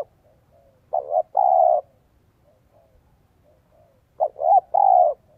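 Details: Spotted dove used as a lure for wild birds, cooing in 'giọng son' voice: soft, low phrases of a short wavering note and a longer steady hoot, heard twice with quiet between.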